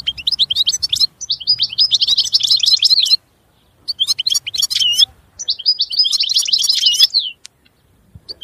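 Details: Goldfinch delivering several lively phrases of fast twittering and tinkling trills separated by short pauses, with clean, quiet background.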